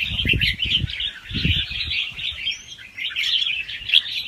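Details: Young wild red-whiskered bulbul singing a fast-round song with doubled phrases, used to excite other birds: a dense run of chattering, warbled notes, with low thumps of handling noise beneath.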